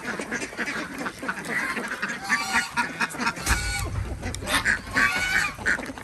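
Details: Desi ducks on a village farm in Andhra Pradesh give harsh quacks in short bursts during morning egg collection, with handling noises and a low thud midway.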